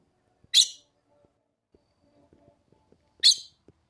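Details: Summer in the caatinga of the Brazilian sertão, a female red-cowled cardinal calls to stimulate the male: two loud, abrupt chip notes spaced under three seconds apart, faint tapping and rustling in between.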